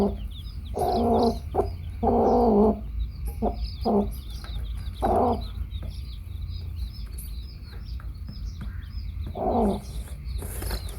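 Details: A hen among her baby chicks makes irregular bursts of low clucking, some extended into harsher grating calls. Many high chick cheeps sound continuously, with a low hum underneath.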